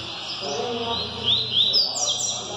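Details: Bahia double-collared seedeater tested in a singing circle, high whistled notes sliding up and down through a dense wash of background noise and distant voices.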